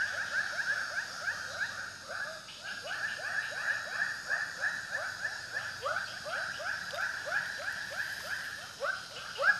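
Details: Long, somewhat irregular stream of rising croaks from a white-breasted waterhen, called ruak-ruak locally, at about three notes per second, the notes overlapping and varying in loudness, with one loud burst near the end.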